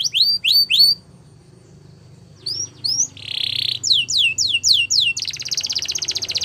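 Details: Belgian canary song used for training young birds: a few falling whistles, a quiet gap, a short buzzy note, rising sweeps, then a long fast rattling trill at the end.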